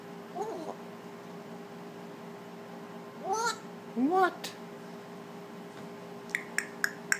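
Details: Young pet African Grey parrot indoors saying a few words: a handful of short, rising-falling, voice-like syllables, then a series of sharp clicks, over a steady background hum.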